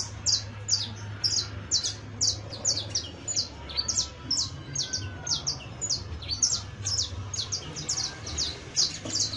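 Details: Young saffron finch in steady song, sharp high chirps delivered at a brisk, somewhat irregular pace of roughly two or three per second for the full stretch, with a faint low hum underneath.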